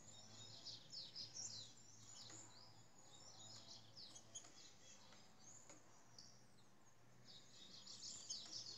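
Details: Rufous-bellied thrush, trinca-ferro of Brazil singing in the Ginga Brasil style: rapid bursts of high, sharp chirping notes in clustered phrases, pausing and resuming, with a constant low background hum.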